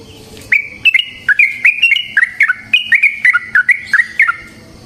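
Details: Yellow-vented bulbul (trucukan) giving a long 'ropel panjang' song meant as a lure to get other trucukan singing: crisp, bubbly notes alternating higher and lower, delivered in quick groups of two or three after a brief quiet start.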